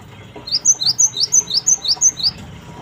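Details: Repeated high chirps from a cinereous tit (gelatik batu) in a lure recording: seven clear, evenly spaced slurred notes, about three per second, with little else audible.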